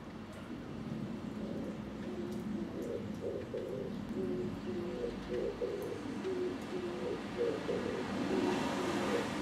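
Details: Oriental turtle dove singing on a power line, recorded from a home balcony: a steady series of low, hoarse cooing notes repeated several times a second, under constant traffic-like rumble and urban background noise.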